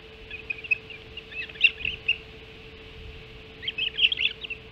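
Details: Hog Island Ospreys at the nest during first breakfast, early morning of 7 July 2016; bursts of rapid high chirps and squeaks, a pause, then another excited cluster, over a faint steady hum.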